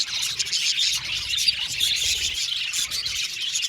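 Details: Budgerigars chirping together in an aviary colony: a dense, continuous wash of high chattering twitters and short warbled notes, with brief whistled squeaks rising above the steady flock noise.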